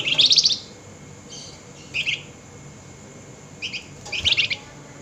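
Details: Nighttime nyerecet calling from an agitated flameback: fairly soft, high dry rattles, one opening burst, then a brief chip and a double rattle toward the end, separated by quiet gaps.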